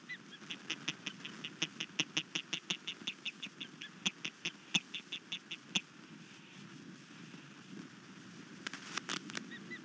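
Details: Osprey at a nest on Skidaway Island, Savannah, Georgia, giving alarm calls overnight after an intruder disturbed the nest, 22 March 2019 around 1:50 am; a fast series of sharp, high chirped notes, then scattered knocks and rustling.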